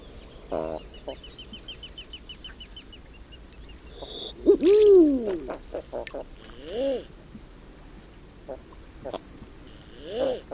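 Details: Common eider giving occasional single arched coos, one loud and drawn out, two shorter ones later, amid scattered clicks and a faint rapid ticking series.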